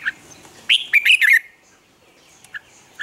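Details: Red-whiskered bulbul sings a single lively morning phrase, a rapid run of bright, slurred whistled notes lasting under a second, followed by soft scattered chirps.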